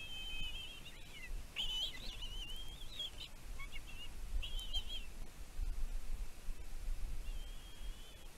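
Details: Bald eagle chick at the Two Harbors nest on Catalina Island, California, USA, filmed by nest cam on 15 June 2023, calling over its mother's food deliveries. High, wavering whistles run together with short squeaky breaks, over steady low background rumble.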